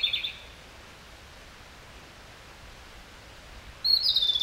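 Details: Fragments of Japanese robin subsong: the end of one fast trilled phrase, a long quiet gap, then a new phrase starting with a bright high note and rattling pulses.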